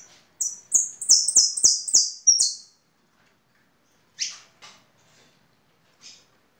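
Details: Song of a European goldfinch: a burst of bright, high, falling notes repeated quickly for about two seconds, then a pause broken by a few short scratchy chirps.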